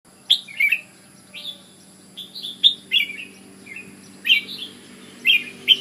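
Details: Red-whiskered bulbul from Ubon, Thailand, singing short bright warbled phrases around mid-high pitch, bursts of rising and falling whistled notes spaced about a second apart, with a faint steady hum underneath.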